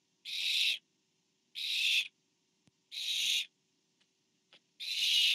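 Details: Barn owl nest camera, 24 September 2015, with a parent bringing food to an owlet: four drawn-out, coarse hissing screeches at roughly one-and-a-half-second intervals, with small taps and clicks in the gaps.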